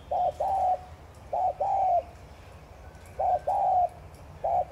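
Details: Spotted dove thúc gù calling meant to get caged doves cooing quickly. Repeated low, soft phrases of a brief note followed by a longer even coo, recurring roughly every one and a half seconds.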